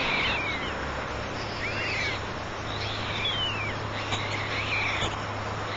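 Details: Three white stork chicks call from the nest with several thin, down-slurred, mewing notes spread over a few seconds, against low steady hum.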